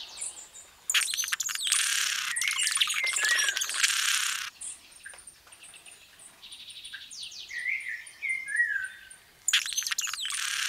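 A hummingbird sings in dense, scratchy, very high bursts of twittering, with thin ticking notes and a few lower, slurred whistles between the bursts.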